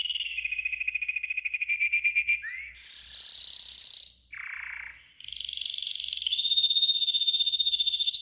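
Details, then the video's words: Yellow golden canary singing a training song, with a fast pulsing trill, an upward slur, a loud high roll, a lower warble, and a long bright sustained tour to finish. "Yellow GOLDEN Canary 12h Training Song"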